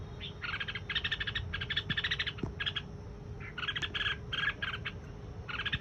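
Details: Red-whiskered bulbul (chào mào) song in dense, rapid phrases of rich chattering notes separated by short pauses, with a few faint low clicks and a steady background hum.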